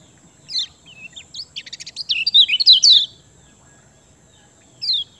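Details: Kecial kuning singing as a lure for birds that will not sing: soft scattered notes grow into a quick, high, sputtering twitter lasting about a second, followed after a pause by one clear down-slurred note.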